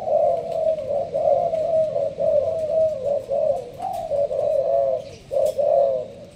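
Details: Caged spotted dove of Malaysian stock under a leaf cover, delivering rapid sparse-style cooing. Mellow coos come in short bursts of about one per second, with small gaps and a slightly higher note near the middle.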